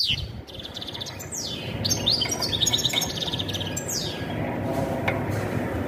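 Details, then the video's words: European goldfinch mating song aimed at preparing a female for breeding, the high twittering and buzzy trills partly masked by a steady broad rushing noise throughout. "تغريد الحسون نذاءات التزاوج لتجهيز أنثى الحسون"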